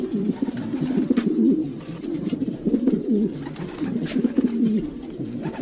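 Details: A group of domestic pigeons coos in low, rolling phrases that rise and dip, overlapping continuously, with occasional sharp knocks.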